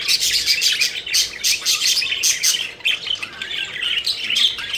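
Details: A flock of pet budgies enjoying play and flight, loud and close, pours out dense, rapid, warbling chirps almost without a break.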